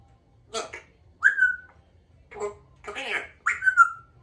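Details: A pet female Congo African grey parrot kept indoors in a country home gives two clear whistled notes, each sliding slightly downward, between short speech-like bursts, with a person talking nearby.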